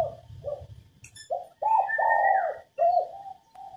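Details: Spotted dove female, cooing to encourage males to sing: a few quiet coos, then a loud, long, throaty note followed by a shorter dipping one; a clear whistle from another bird slides downward over it.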